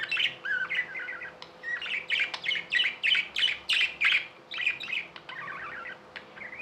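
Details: Tame pet budgerigars chirping and warbling, a run of rapid buzzy, rising-and-falling chirps in bursts about three per second, mid-high pitched, with a fast trilled chatter near the end; a faint steady hum underneath.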